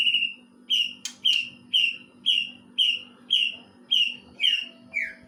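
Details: Greater green leafbird imitating a kingfisher: a series of sharp, high, descending whistled notes repeated about twice per second, each with a brief upper overtone, over a steady low hum.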